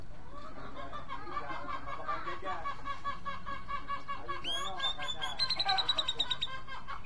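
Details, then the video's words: Grey-cheeked bulbul, named for finding a singing partner: after several seconds of murmured background voices, a bright, rapid train of harsh, harmonic-rich notes bursts out and repeats quickly for about two seconds. "Cucak jenggot mencari teman karaoke"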